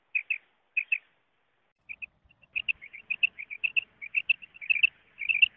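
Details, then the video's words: Common quail calling, a sound used for hunting. A few spaced pairs of sharp notes are followed by a fast, crowded run of repeated notes. "Common Quail sound for hunting | batair ki awaz shikar k leay | بٹیر کی آواز شکار کےلیے"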